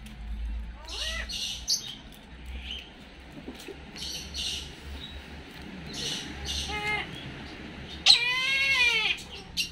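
A Brahminy kite gives hoarse, quavering, bleat-like cries: two brief ones, then a longer wavering cry near the end. Hissy background with scattered high chirps.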